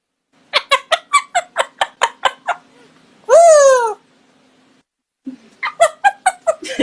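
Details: A female Grey parrot escalates mimicked laughter to make her owner laugh, about ten quick rhythmic 'ha-ha' laughs, a drawn-out falling squeal, then more rapid laughter.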